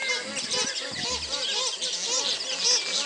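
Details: At dawn in August 2010 at Fogg Dam, Northern Territory, a noisy flock of magpie geese fighting amongst themselves and upsetting nearby radjah shelducks gives overlapping, nasal, arched honks in rapid succession, with a person talking quietly beneath.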